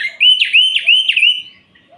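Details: Orange-headed thrush singing at night to agitate rival males: a quick series of four clear, loud whistled notes, each swooping up then levelling, repeated about every third of a second.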